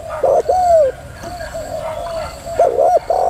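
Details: A female spotted dove gives a clear falling coo, then softer lower coos, closing with a quick doubled note and another drawn-out coo; steady faint hiss in the background.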